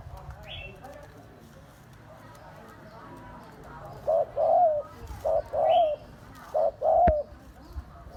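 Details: Spotted dove cooing: after a quiet start with a faint high chirp, three soft low coo phrases arrive from about four seconds on, each a short note followed by a longer, mellow hooting note.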